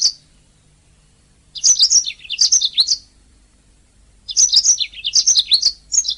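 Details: Canary master song for training caged singing birds: two phrases of rapid, high twittering with quick downslurred notes, each about a second and a half long, with silence between them.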